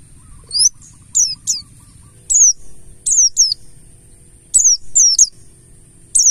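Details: Mountain white-eye of the buxtoni race in a lure recording: short, very high descending notes, often paired, repeated at irregular intervals of about a second with quiet gaps between.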